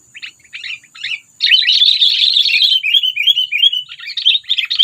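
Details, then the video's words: Sooty-headed bulbul calls used to lure birds and stir up predators: three short chirps, then a loud, continuous chattering stream of rapid notes ending in a series of repeated falling chirps. "SUARA PANGGILAN AMPUH PIKAT KUTILANG MEMANCING EMOSI PREDATOR"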